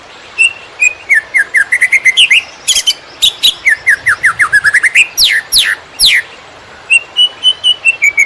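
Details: Song of a greater green leafbird in konslet style, a master recording to tutor field-caught birds: quick upslurred whistles in tight runs, sweeping high chips, then a short level series of repeated notes.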